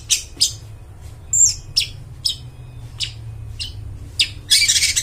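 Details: Long-tailed shrike singing loudly, recorded as a lure for wild forest birds: sparse, short harsh rasping notes spaced unevenly, one brief high whistle, ending in a dense buzzy burst, with a low background hum.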